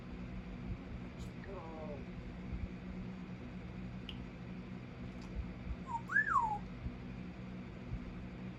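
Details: Pet parrot vocalizing indoors at night right before bedtime. A short run of faint stacked whistles comes first, then a louder whistled note that rises and falls, all over a low, steady room hum.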